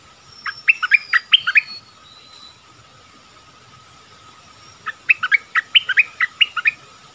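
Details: Dok taeng bird used as a caged decoy in the forest, calling to attract a mate, recorded 13 January 2021; two bursts of quick, bright chirping notes about a second each, separated by a pause, with a steady faint background hum.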